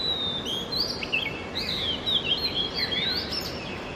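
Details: Oriental magpie-robin in the early morning, delivering a continuous run of sweet whistled notes that swoop up and down, interspersed with short chirps, over constant low background noise.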